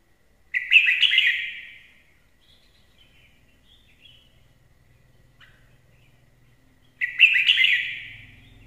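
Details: Singing red-whiskered bulbul delivering two loud, rolling warbled phrases about six seconds apart, each bright and quickly descending, with near-silence and a faint low hum between them.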